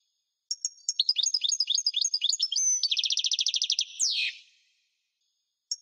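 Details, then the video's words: A European goldfinch sings a bright, high twittering phrase that runs into a fast tinkling trill and ends in a downward-sliding buzzy note. "Singing goldfinch - Chant chardonneret parva"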